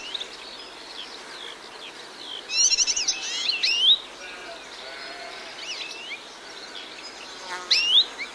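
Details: European goldfinches sing prominently along a hedgerow in the morning, in quick bursts of bright, tinkling twitters and liquid trills, with fainter calls from silvereyes and grey warblers in the background.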